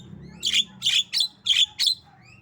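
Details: Pet female Javan myna, tame, coughing and laughing: five loud, rasping, buzzy bursts in a rapid uneven series within about two seconds, clear above a soft low hum.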